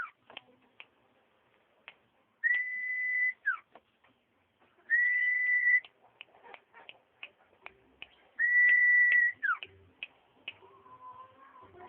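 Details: Common iora repeating its song three times, each a steady drawn-out whistle ending in a brief falling slur, roughly every three seconds, with scattered clicks and ticks between phrases.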